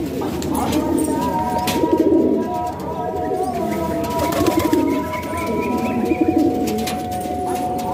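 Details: Pigeons kept indoors in Pakistan cooing in three deep, pulsing bursts spaced about two seconds apart, with a steady tonal hum and light background noise.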